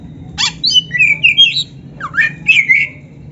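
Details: Two short phrases from an Oriental magpie-robin, black-breasted form, in a training recording for cage birds: squeaky rising and falling whistles with rough chirps, separated by a brief pause, over a low background hum.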